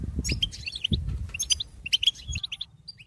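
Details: Goldfinch delivering quick tinkling chirps and liquid twittered notes in short clusters, bright and high, with soft low thuds beneath and a quieter trailing end.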